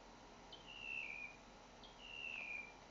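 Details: Northern mockingbird in Naples, Florida, giving two long, clear whistles. Each starts with a sharp upward flick and then glides slowly downward. A pause falls between them over faint hiss.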